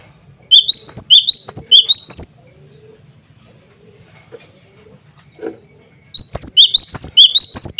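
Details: Male cinereous tit (glatik batu) calling rivals and females: two bursts of rapid, high, rising chirped notes, each about two seconds long, separated by a quiet gap with a soft hum and faint knocks.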